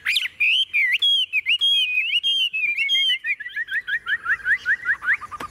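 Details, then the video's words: Tame Chinese hwamei kept in a cage and said to sing like a machine: loud clear whistled notes, slurred and repeated rapidly, sliding into a descending series of short chopped whistles. "Họa mi thuần bóng bộ đẹp - Hót như máy"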